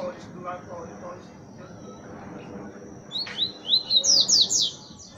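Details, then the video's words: Coleiro (double-collared seedeater) in the 'boca suja' song style gives one phrase of rapid rising, slurred whistled notes near the end, after a few seconds of low background noise and faint chatter. "COLEIRO BOCA SUJA"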